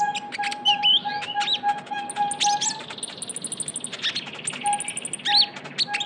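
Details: Lively young Javan white-eye used as a lure sound, giving fast high twittering chirps, quick upslurred whistles and a run of rapid even high notes, over a steady lower whistled tone that comes and goes.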